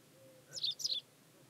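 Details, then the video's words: Hybrid Pied wagtail at Klokbekerweg, Ottoland, Netherlands, on 4 May 2020, giving a sharp high two-part chirping call, two quick bright twittering notes about a quarter second apart, with faint low background hum. "(hybride) rouwkwikstaart"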